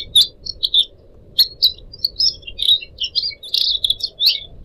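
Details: Captive pied triller, one of four pet birds compiled for teaching songbirds: loud, spaced chirps and short twittered bursts roughly every half second, with a gentle water-like hiss beneath.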